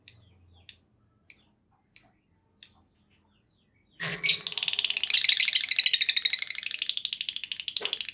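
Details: Lovebird ngekek panjang, a long trill used to prompt other lovebirds to sing. Five sharp, evenly spaced high chirps come first, then a dense, buzzy chattering trill runs unbroken for about four seconds.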